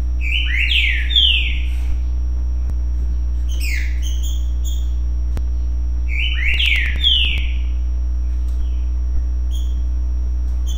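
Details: A Green-winged Saltator sings its "currucutill" song in three rich, slurred whistled phrases, each sweeping up and down, spaced a few seconds apart over a steady low electrical hum.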